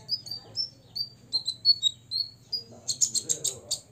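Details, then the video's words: Six-year-old olive-backed sunbird: a run of evenly spaced high thin whistles, then a rapid buzzy rattle of about six pulses, sung to provoke rivals. "kolibri ninja ngobra 100% bikin lawan EMOSI"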